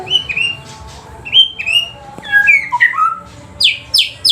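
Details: A white-rumped shama, previously silent, bursts into song right after hearing playback: clear slurred whistles rising and falling, varied phrases, ending with three loud sharp high downswept notes.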